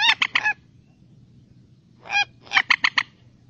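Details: Common moorhen (Gallinula chloropus) call: harsh, croaking clucks, with a quick burst of three, a longer nasal note, then four rapid notes, over a low steady hum.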